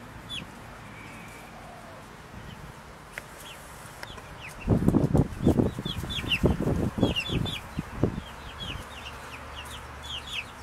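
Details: Four-week-old Buff Brahma chicks give short, high, downward-sliding peeps, scattered and repeated throughout, while loud flapping wings and scuffling thumps dominate the middle seconds.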